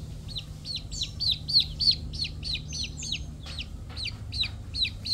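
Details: Chicks peeping: a steady run of high, sharp, downward-sliding peeps, about three each second, over a low hum of background rumble.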